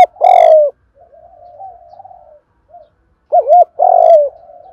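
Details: Spotted dove cooing, used as a lure to provoke wild birds: loud low hoarse coos with a double note and softer trailing murmurs between.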